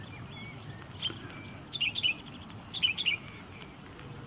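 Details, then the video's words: Blyth's reed warbler singing at RSPB Middleton Lakes on 18 June 2021: high, clear whistled notes and short slurred phrases, delivered in bursts about once a second with brief pauses between them, over faint low background rumble. "Blyth's Reed Warbler"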